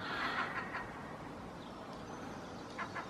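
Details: Egyptian goose, an introduced species common along the river Wensum in Norwich city, UK, on a dawn chorus walk on 17 April, gives a few harsh, hoarse honks at the start and near the end over background hum and traffic noise.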